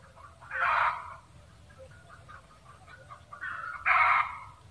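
Red junglefowl giving two loud, harsh cackling bursts about three seconds apart, with softer clucking notes in between.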